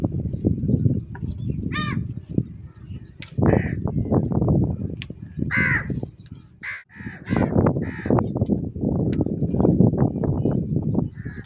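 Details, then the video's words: Several crows contending for cheese give scattered harsh caws, some short and rising, others drawn out, over continuous pecking and rustling noise. "Crow sound & Fight For Food"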